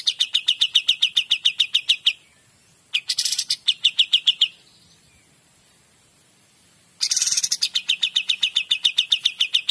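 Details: White-shouldered Triller used as a master song for training other birds gives fast, high trills of sharp repeated notes in bursts of about two seconds, broken by short pauses.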